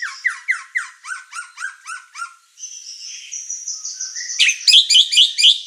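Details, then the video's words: White-rumped shama singing as an emotional lure and master: a rapid series of about ten descending chipped notes, a long thin whistle, then loud, fast chattering. "Pancingan emosi dan masteran murai batu gacor | shama bird singing"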